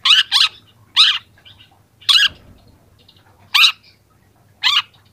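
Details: Young long-tailed shrike recorded as training material, starting to show mimicked phrases: loud harsh, buzzy double notes spaced about a second apart, separated by quiet gaps over a faint hum.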